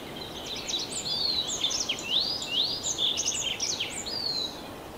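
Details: Song of a tree pipit: quick, loud run of high chirps and sweeping upward slurs for about four seconds, then fading, with constant low rushing noise underneath.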